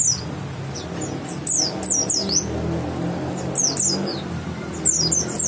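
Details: West Javan white-eye, grey-white breasted with a yellow line, giving scattered high, sharp, falling chip notes in small groups between pauses, with a constant low background hum.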